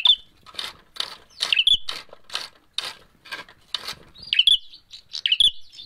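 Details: Bar-winged prinia fighting lure sound: a run of dry, rapid clicking pulses about twice a second, then sharp, high chirped slurs.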